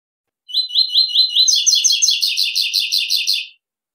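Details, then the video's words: Coleiro (double-collared seedeater) in the classic three-note 'tui tui' song style: a run of clean repeated whistled notes leading into a rapid, rattling train of buzzy paired notes at a steady pace, ending sharply; no other sounds. "AQUELE TUI TUI CLASSICO 3 NOTA 2023"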